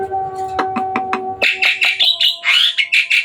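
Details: Hybrid Asian pied starling singing busily at night: a few sharp clicks over a steady low hum, then a rapid series of harsh, buzzy chattering notes repeated about three times a second.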